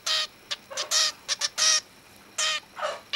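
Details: A young male cockatiel, only 14 to 15 days old, practising his father's song: a loud sequence of harsh, buzzy squawks of varying length, some drawn out, one ending in a falling rasp.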